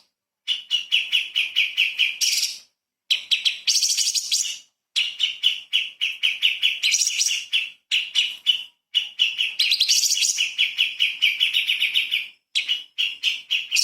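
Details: Light-vented bulbul recorded as a master for magpie-robins and kacer, 'tembakan' style: long runs of rapid, rasping chirps broken by short gaps, with occasional higher buzzy flourishes.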